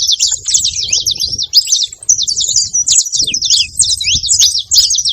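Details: Saffron finch at a feeding spot making noise: rapid, dense, high-pitched chirps and short twittering notes, tumbling over one another almost without pause, with faint low rumbling in the background.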